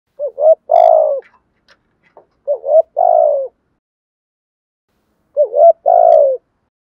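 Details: Lure spotted dove cooing loudly and clearly to provoke and attract wild doves: three low cooing phrases, each of short doubled notes followed by a longer, drawn-out falling coo, with pauses between.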